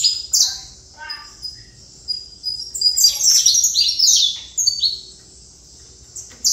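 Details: Saffron finch giving scattered high chips that build into a dense, twittering burst of slurred whistles, then trail off into a few isolated notes.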